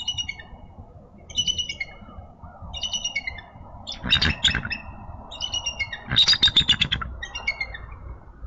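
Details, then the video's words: Eagle pair at their Minnesota nest, recorded by a nest camera at 7:22 on a March morning. Frost-covered after the night, the female is relieved by the male on two eggs, and both greet the day with loud, squeaky, piercing chattering bursts, several notes each second, over wind rumble. "Eagles Morning Greetings"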